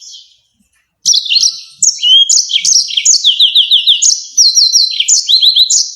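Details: A Yellow-fronted canary, used as a master song for training songbirds, sings a fast, bright, continuous song of high twittering notes and sharp downslurred trills after a second of near silence; finding: Yellow-fronted canary.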